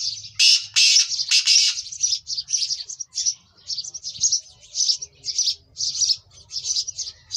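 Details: Energetic black francolin call played to get kept birds calling: harsh, broadband rasping notes open the first two seconds, then a steady run of short high chirps repeated roughly twice per second.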